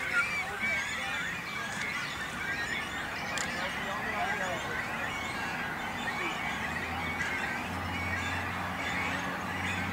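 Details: Breeding colony of great cormorants with young on a lake island in Langedijk, Netherlands; a constant mass of harsh, overlapping calls and thin squeals, and a low droning hum in the second half.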